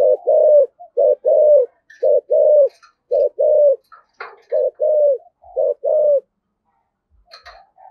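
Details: Spotted dove with the 'giọng thổ' (cục đinh) voice style, calling. Low, hollow coos in quick sets of two or three notes, with several short phrases separated by brief gaps. A few faint clicks follow near the end.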